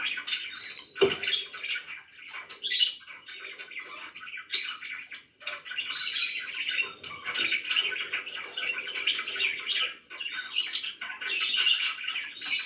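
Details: Pet budgies chirp at home, scattered sharp squawks and clicks early, then a long stretch of steady buzzy warbling chatter from several birds.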